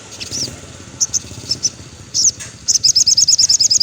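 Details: Sogon song in the afternoon, played to train captive birds: scattered sharp high chirps, then a fast run of about eight thin, very high notes near the end, over a faint low background hum.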